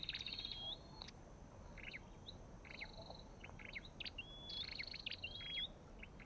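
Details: Olive-backed tailorbird with a white-eye: loud buzzy trills open and close the passage, while soft chirps and a few clear upslurred whistles fill the middle.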